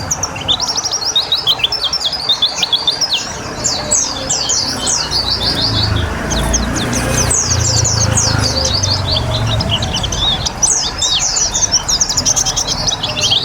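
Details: Water-treated white-eye singing energetically: long, dense series of high twittering chirps and slurs, with a low rumble in the middle.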